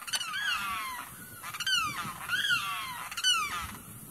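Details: Loud screeching call of a Limpkin at a wetland, heard far away: several harsh, arching wails with rich overtones, each about half a second long, given in quick succession over four seconds.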